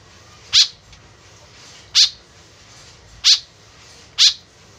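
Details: Four sharp, raspy single notes from a white-breasted woodswallow, a call used to lure birds in, spaced about one to one and a half seconds apart with low background hiss.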